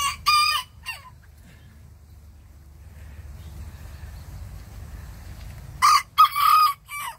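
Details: Bantam roosters answering the big rooster next door: a short harsh crow in two parts, a long stretch of low rumbling background noise, then a louder three-part crow with a held middle note.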